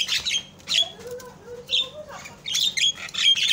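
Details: A myna gives harsh, scratchy squawks in quick bursts, broken by a few lower, slurred whistles in the middle; used as a lure call to provoke silent jalak kebo (mynas) into calling.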